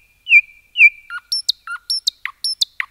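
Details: Nightingale song in forest: two loud falling whistled slurs, then a quick alternating sequence of high sharp notes and lower short slurred notes, evenly paced.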